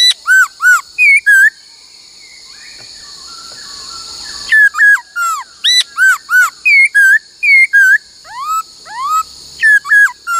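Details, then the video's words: Laughingthrush trained to sing many voices, 'bắt cô trói cột' style: strong ringing whistles in quick repeated phrases, a pause of a few seconds, then a long series of rising and falling whistled notes about three per second. "Luyện khướu hót bắt cô trói cột , luyện hót nhiều giọng cực hay"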